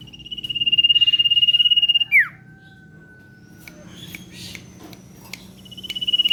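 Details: Common iora lure song: a sustained ringing high trill swelling in volume, then a quick downward-sliding note and a thin level whistle, with scattered clicks before the trill starts again.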